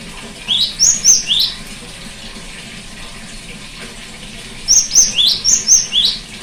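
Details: Therapy recording of a cinereous tit singing for a silent bird: four ringing whistles, a pause of about three seconds with soft hiss, then a livelier run of six notes with flat and rising elements.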